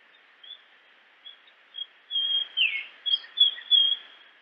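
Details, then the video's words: Japanese grosbeak singing a rising series of whistles that builds into a full phrase with a swooping downward note, preceded by a few faint soft notes, with hiss behind. "Grosbeak japonês Som de pássaro, música de ave, chamado do passaro melodia"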